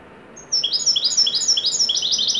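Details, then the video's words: A Moroccan goldfinch of the Widani type delivers part of its joyful performance: a rhythmic sequence of bright, high, rolling twitters rising in intensity toward the end. "تغريدة طائر الحسون الويداني المغربي قمة الاداء فرحة ممتعة"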